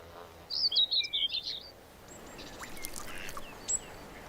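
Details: Common Whitethroat in bankside scrub by Germany's Dreifelden lake district, gives a brief, scratchy, hurried warble of jumbled high notes lasting about a second, followed by faint calls of other birds.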